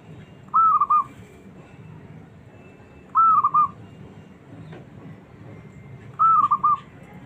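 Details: Small zebra dove with a fighting temperament, calling to provoke reluctant doves into answering; three clear whistled, bubbling coo phrases with a rising then trilled ending, repeated roughly every three seconds over low background rumble.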